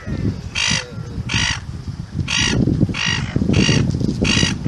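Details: Five harsh, squawking gull calls spaced nearly a second apart, heard over a strong, steady low rumbling background.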